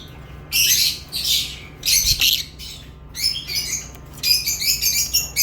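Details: Squawky, shrill bursts from lovebirds, several longer harsh calls early on, then quicker chattering notes toward the end, with a steady low hum.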